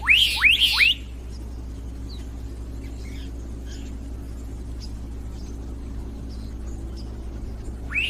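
Black-capped donacobius giving three loud, sharply rising whistles in quick succession, then a fourth after a pause, with faint chips and a steady low rumble behind.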